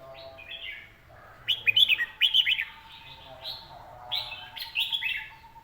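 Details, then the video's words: Red-whiskered bulbul song in a named singing style: short bright warbled phrases in bursts with pauses, some rising and falling notes, over a faint steady hum. "ลมเย็น ขับขานสำนวน#นกกรงหัวจุก #เสียงนกกรงหัวจุก"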